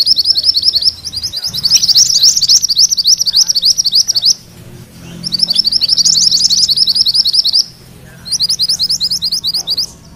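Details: Mantenan kuning in a rolling ngerol song used as tutor material for magpie-robins: three long bursts of rapid, shrill, high chattering notes, about three per second, broken by short pauses, with faint low background hum.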